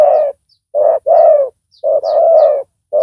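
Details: Caged decoy spotted dove with a loud voice, calling to lure a wild rival. Low, rounded coos come in short-long groupings, with the longer notes slightly falling. Faint thin chirps of other birds sound above.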